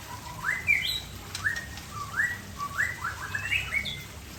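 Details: White-rumped shama (Murai Aceh) singing in a relaxed afternoon: clear whistled notes sliding upward, repeated in short rising phrases with a few higher slurred whistles, over steady low background hiss.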